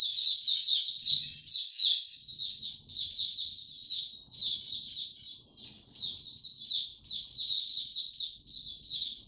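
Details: High-pitched warbling song from a white-eye on a warm, very humid day, 26 March 2022. Rapid jumbled chirps and trills run almost without pause, over faint low background rumble.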